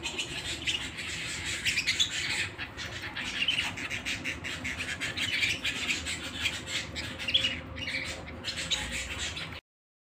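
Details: ['Domestic canary trilling indoors: busy high chirps and rolling trill phrases for about nine and a half seconds, then silence.']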